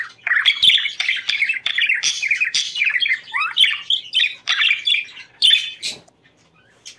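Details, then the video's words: Budgerigar song played to bring birds into breeding condition: rapid chattering warble of scratchy chirps and quick upward whistles in bursts, fading to quiet near the end. "ESTIMULA CELO PERIQUITOS"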